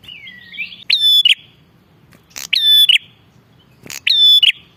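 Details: Lure recording of an energetically calling Bar-winged prinia. A soft warbled twitter opens, then three loud phrases, each a hard click and a clear, ringing whistle with a rasping tail, spaced about 1.5 seconds apart.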